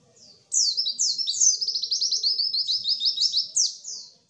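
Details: Intense white-eye twitter, played so lazy-singing birds start singing and imitating: long high slurs leading into a rapid, rhythmic string of descending chirps for three and a half seconds.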